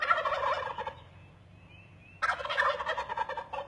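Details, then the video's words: Turkeys up in trees give two loud, rattling gobbles, each a rapid burst of throaty notes lasting about a second, separated by a brief pause. "Turkeys in trees making sounds"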